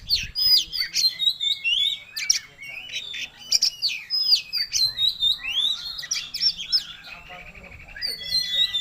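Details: Oriental magpie-robin back in song after an illness: continuous vigorous phrases of piercing upward and downward whistles mixed with harsh chattering notes, pouring out with hardly a pause.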